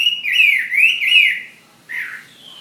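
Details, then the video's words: Ha Giang fighting Chinese hwamei giving three loud slurred whistles that sweep up and down, a short pause, then a softer falling note and a thin sustained whistle. "Họa mi chiến Hà Giang"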